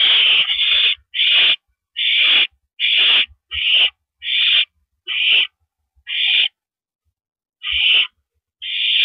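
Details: Owl sitting on a porch perch on an April evening in 2012, producing rasping, hissy screeches of about half a second each, repeated in a loose series with one longer pause near the end.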